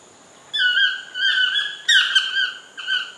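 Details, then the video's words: Toucan singing in a lodge garden: three loud, harmonic croaking notes, each a flat nasal tone with a rough edge, the middle one strongest, separated by short pauses over a quiet background. "CHANT DU TOUCAN"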